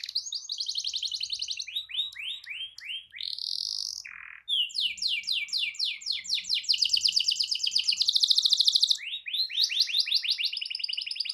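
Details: Canary pouring out a long rolling song meant to provoke other canaries into singing: fast, high trilled tours of repeated downward-sweeping notes, with a brief pause near four seconds before the rapid rolls resume.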